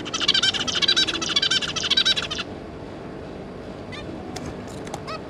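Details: Zebra finches, two parents with three juvenile young, 5 August 2022: a burst of fast, nasal, tightly repeated beeping notes for over two seconds, then silence broken by a few faint, short calls over steady background hiss.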